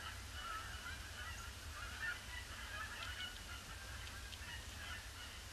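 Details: Canada geese pouring in on a gloomy Boxing Day, circling a pond before landing; moderately distant honking from several birds against steady low background noise.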